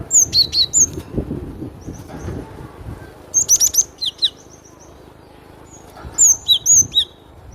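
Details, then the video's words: Cinereous tit song in three bursts of crisp, high, quickly downslurred whistled notes, each burst of four to six notes, separated by quiet pauses with faint low background noise. "SUARA BURUNG GLATIK BATU PALING RENYAH"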